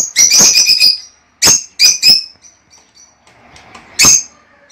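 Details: Lovebirds chattering, with song meant to stimulate mating: bursts of shrill, harsh chirps and screeches in quick runs, pausing between groups, with faint soft calls in the gaps and a final loud screech.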